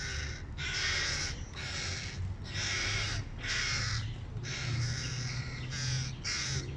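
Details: Hungry hooded crow babies raising a racket as dad brings food: loud, rasping, throaty calls in regular bursts roughly every second, harsh and broadband, with low hum underneath.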